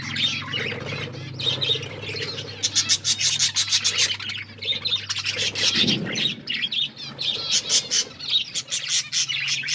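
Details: Budgerigars kept as pets chirp while eating, giving bright twittering and warbling notes in uneven bursts with crisp clicks, against a constant low background hum.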